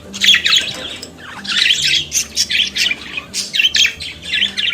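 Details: Australian budgerigar chattering and singing in a quick string of buzzy squawks and rasping chirps, pulsing several times a second.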